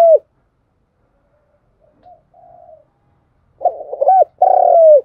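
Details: Urging and calling coos from a spotted dove, used to prepare lure birds for trapping; a short coo, faint murmurs, then a stuttering burst and a long falling coo.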